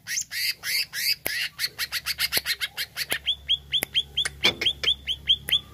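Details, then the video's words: Greater green leafbird song, used to provoke a kept bird: harsh buzzy rattle of rapid notes, then a steady run of clear downslurred whistles repeated several times a second. "HANYA PLAY CUCAK IJO INI UNTUK PANCING EMOSI IJO ANDA"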